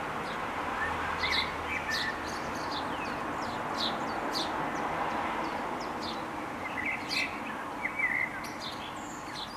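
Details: Young house sparrows being fed by their parents: a busy, continuous stream of short, high, scratchy chirps, many overlapping and irregular, with a few lower tweets, over a steady broadband background noise.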